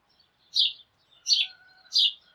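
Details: Sparrows calling in the morning as a flock: three loud, short, bright chirps about 0.7 seconds apart, with a faint thin whistled tone from another bird between them.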